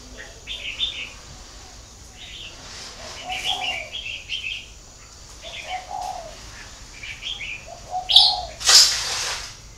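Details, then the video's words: Spotted dove at a bird-breeding garden in Ba Vì district, northern Vietnam, giving low, soft hollow coos spaced a few seconds apart, mixed with frequent high, sharp chirps from other small birds and a brief flutter near the end. "chim cu gáy hay miền bắc"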